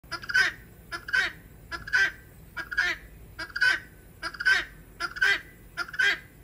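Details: Guineafowl giving harsh, rasping two-part cries in a steady series, each double note about 0.8 seconds apart, loud and grating with a buzzy, noisy texture throughout.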